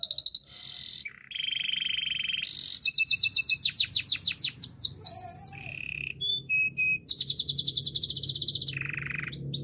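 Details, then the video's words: Belgian canary in full training song: chirps and buzzy rolls, a long loud pulsed trill of sharp sweeping notes, brief steady tones, then another fast trill and a rolling buzz, with a low hum beneath. "Belgian canary's most powerful song for training"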